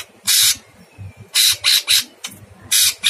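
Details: Harsh masteran of a chattering Sooty-headed bulbul, long-burst style: one long grating burst, then a run of three rough notes and two later bursts, all noisy and hissing, with a faint low hum beneath.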